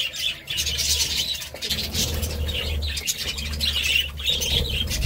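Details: Steady budgerigar twittering, a blend of high warbled chirps and scratchy notes, over a continuous low hum.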